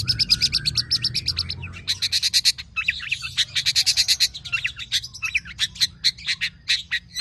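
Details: Tame long-tailed shrike singing nonstop with many imitated elements, used as a lure for other birds: dense bursts of rapid scratchy high notes in several runs, separated by brief gaps, with some low rumbling background noise.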